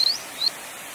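Grey wagtail giving two sharp, high, slightly rising notes about a third of a second apart, over faint background hiss.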